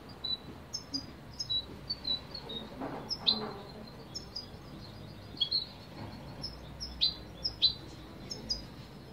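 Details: Spanish European goldfinch singing: a series of thin, high, quick chirps and twitters in short bursts, fairly faint over a steady low background hiss.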